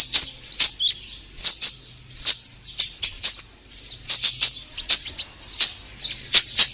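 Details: Energetic orange-headed thrush song meant to coax caged birds into singing, given as high, sharp whistled notes in pairs and triplets, spaced by brief gaps, with a faint steady hum in the background.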